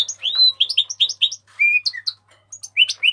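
A house finch sings a lively, jumbled warble of quick, bright notes and slurred whistles, some rising and some falling, with no other sounds.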